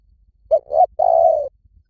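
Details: Repeated lure call of a spotted dove: a pair of quick soft hoots leading into a long, level, slightly falling coo, low-pitched and clear over near silence.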